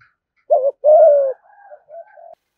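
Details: One 'thúc gù' phrase from a spotted dove, a call said to quickly lure wild doves to a fighting perch: a brief wavering low note, a long steady mellow coo, then quieter trailing coos.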